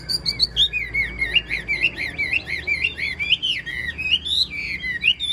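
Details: Continuous warbling song from a caged Chinese hwamei: rich, fluid whistles that rise, dip and curl without a break, a lively string of varied looping notes over faint low hum.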